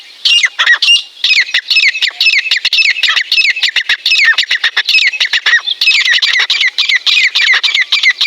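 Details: Wild partridge calling in the wild during mating season: loud, rapid series of sharp, harsh squawking notes with steady rhythm, each note bending downward, running nearly without pause for eight seconds, with a brief gap near one second.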